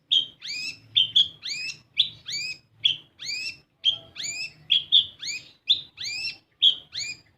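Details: Olive-backed sunbird (kolibri ninja) song used as a lure to get untrained captive birds singing: high, bright chirps swooping upward then down, repeated in quick regular bursts about twice a second, over a faint low hum.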